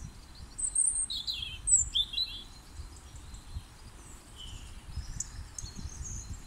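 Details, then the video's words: European robin singing loudly in spring, February 2021, with a worm caught; high, sweet, varied phrases of sliding whistles and thin trills at irregular intervals, some softer notes later, over a low rumble of background noise. "Roodborstje zingt uit volle borst"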